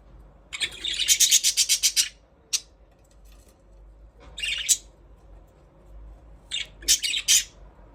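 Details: Budgies give rapid high chirps, about four a second, in a quick run, then scattered single tweets and two shorter bursts in a quiet room.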